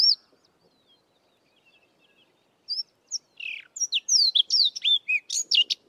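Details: Sabota lark singing in the southern Karoo, bursting into a fast, varied, melodious phrase of high sweeping whistles and chirps, about four notes a second, after a near-silent start; little mimicry here.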